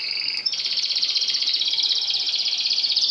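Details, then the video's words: Caged canary singing during song tutoring by the vertical method, with a tutor bird placed below the pupils: a sustained high whistled note, then a long, fast, even rolling trill. "دليل نجاح الطريقة العمودية في التلقام (كناري، مقنين، ألخ)"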